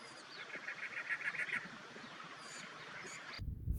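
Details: A Cactus Wren, a common desert bird near Tucson, Arizona, sings in April 2023. It gives a fast, harsh, churring run of about ten rasping notes, then brief higher chirps, ending in a loud noisy thump.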